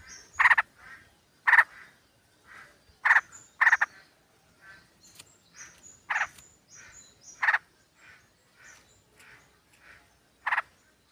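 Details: Sooty-headed bulbul flock sound, with a female calling the male, played as a lure. Loud grating bursts come in uneven runs, with quieter chatter between them and brief high whistled notes.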